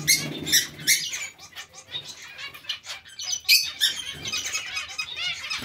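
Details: Within a colony of zebra finches and Bengalese finches, sharp nasal calls come in quick irregular volleys. Many birds overlap in steady chatter, with faint low rustling early on.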